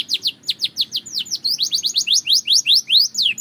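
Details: Belgian canary song, a rapid run of high downward-slurred chirps repeated several times a second, steady and unbroken, with a soft low background murmur.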